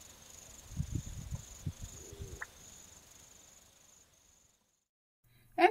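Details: Calling from an elevated dam wall used as a song post, a black-bellied bustard gives a series of low, dull thudding pops that ends in a short rising note, over a steady high insect hiss.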